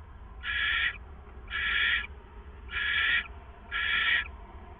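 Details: At 4:49 a.m. on April 27, 2014, before dawn, a pair of owls at their hideout give four steady, breathy rasping hisses about a second apart, with a soft continuous hum underneath.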